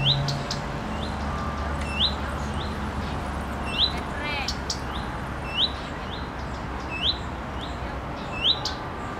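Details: A female common redstart (Phoenicurus phoenicurus), perched on a wind-swayed branch and bobbing her tail, gives her characteristic call "fyuit-tik-tik-tik": a short rising whistle about every two seconds, some followed by quick ticking notes, over a steady low hum.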